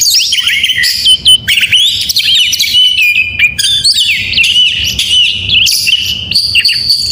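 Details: In the morning an oriental magpie-robin sings energetically, mixing sweet sliding whistles with rattling trills and abrupt scratchy notes, phrases following each other rapidly at high pitch.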